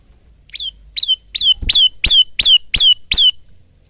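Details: Loud close male bar-winged prinia, kept for training other cage birds: eight strong high downslurred notes, growing louder and longer, delivered about three per second.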